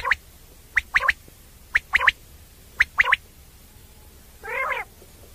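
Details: Common quail (batair) call, played for night hunting: sharp whistled three-note phrases, one note then a quick pair, repeated about once a second, followed by a single nasal, harmonic croak near the end.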